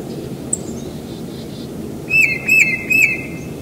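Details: A tufted titmouse sings at a house in spring: after a quiet start, three clear whistled notes about half a second apart, each sliding down then holding steady.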